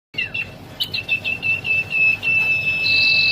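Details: Young common iora giving a few quick chipping notes that run into a long, steady, high whistle held for over a second. A higher buzzy tone joins near the end.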